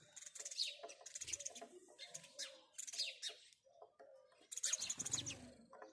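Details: House sparrows chirping in the morning: busy overlapping bursts of high, harsh chirps repeated in quick series, with lower background murmur and a few soft cooing tones beneath.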